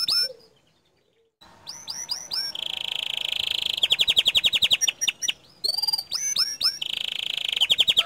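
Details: Bottle-green canary singing a tutor song with its 'tembakan' shot phrases, said to agitate other canaries: a short opening note, a pause, then rising whistled notes, a long buzzy rattling trill, rapid repeated chips and another fast trill.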